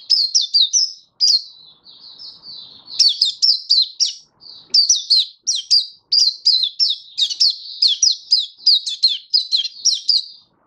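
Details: Oriental white-eye song recorded on 24 February 2023, a long, lively stream of bright, high chirps and twitters. A softer warbled passage comes early, then dense rapid notes follow almost to the end.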